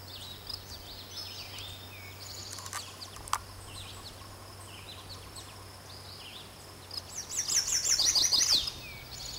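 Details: Chestnut-sided warbler male in 2006, perched in a birch above Quabbin Reservoir in Massachusetts, delivering one quick, high-pitched, slurred phrase of repeated notes near the end, preceded by faint distant chirps and a sharp click against a low background hum.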